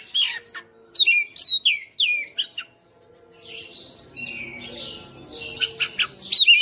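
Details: Caged Oriental magpie-robin singing tirelessly, fighter style, with its repertoire of fill notes: a run of clear descending whistles, then softer warbled passage before loud piercing notes return; low hum faintly present.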